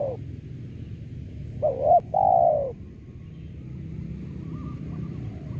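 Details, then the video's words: Spotted dove lure call for trapping: one two-part phrase, a short wavering note and then a longer steady coo that falls away, after which a long stretch of low rumbling background noise follows. "Pancingan Suara Tekukur"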